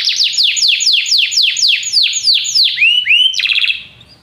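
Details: Canaries singing together after hearing music. About a dozen steep, descending slurred whistles repeat roughly four times a second. Two rising swoops follow, then a brief buzzy trill that fades out.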